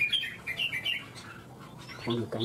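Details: Red-whiskered bulbul in a singing competition in Vietnam, giving short bright whistled phrases that rise and fall over the first second, then a pause before a human voice and lower sounds break in near the end.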